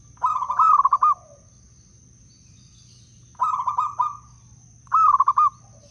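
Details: Wild local zebra dove from Blora, used as a lure for trapping and prompting other doves to sing. Three clear cooing phrases, each a quick stuttered roll ending in a held note. A steady high electronic whine runs throughout.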